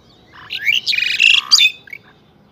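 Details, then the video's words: In the morning at Saifai, Uttar Pradesh, an Asian pied starling gives a varied song: a quick jumble of chirps, harsh buzzy notes and liquid whistles over about one and a half seconds, with a low rumble of background noise. "Pied Myna Bird Amazing Voice"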